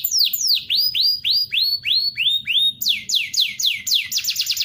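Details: White-rumped shama master song for training birds, mixed with other birds' calls: loud clear whistled notes, some sliding down and others swooping up, given in quick varied phrases about three per second, ending in rapid high thin notes.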